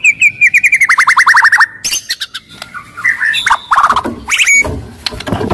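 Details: White-rumped shama described as aggressive and loud, its song a lure for other shamas to sing and fight: a quick descending series of about fifteen repeated whistled notes, then varied warbles, clicks and chatter.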